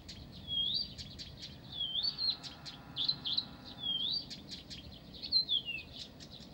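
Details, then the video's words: In Pavlodar, a Blyth's reed warbler sings a steady stream of sharp high chips mixed with looping whistled slurs that repeat roughly each second. A soft low drone sits in the background. "НА КОНЦЕРТЕ САДОВОЙ КАМЫШЕВКИ В ПАВЛОДАРЕ"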